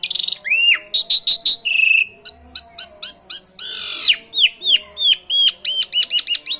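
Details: Asian pied starling song laced with canary imitations, meant to get other birds singing: clipped chips, a steady whistled note, a loud arched buzzy phrase and a series of quick curved whistles.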